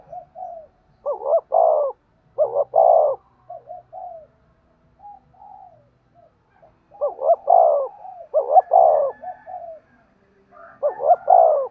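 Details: Spotted dove calls used for training decoy birds: loud two-part coos, a quick wavering note then a longer hoarse one, given in bursts with softer low coos between, quiet background.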